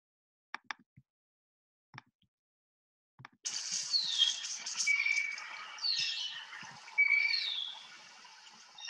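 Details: A few soft taps, then a Blue Jay call, one of its many calls and a slightly lower one: a dense, high, squeaky run with slurred downward whistles and brief clear tones, lasting about five seconds.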